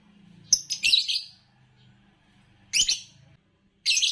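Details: Green Fischer's lovebird, a competition champion, repeats loud, rasping high chirps in short bursts, a pair close together, then another after two seconds and a final one at the end, with a low hum underneath.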